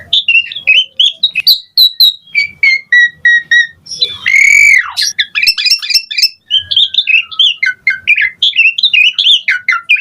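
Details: Asian pied starling in energetic, pumping full song with rich variation. Fast run of varied whistles and short chirps, then a loud slurred downward whistle midway, followed by dense rapid chattering phrases.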